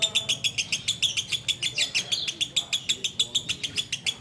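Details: Sooty-headed bulbul delivering ngekek song: a dense, even stream of short, high, ticking notes, about four per second, with faint voices low in the background.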